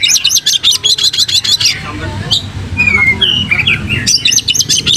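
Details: Tail-fanning Oriental magpie-robin giving energetic lure song: a fast series of about a dozen crisp, high repeated notes, then varied whistled slides and twitters, before another rapid repeated run; low rumble underneath.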